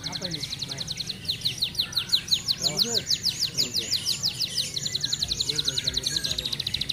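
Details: An F1 canary with regional training-contest wins, singing well despite nearing its moult, gives fast, tightly packed rolling trills, high and bright, shifting between rapid repeated phrases, over a low background hum.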